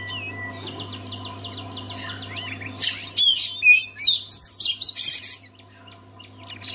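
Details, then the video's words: Oriental magpie-robin kept as a songbird, used to spur others to sing: soft buzzy trills at first, then from about three seconds a loud sequence of sharp, swooping whistles and chattering notes, ending quietly; low steady hum throughout. "KACER ANDA MACET BISU? SEKALI DENGAR KICAUAN KACER INI PASTI LANGSUNG GACOR"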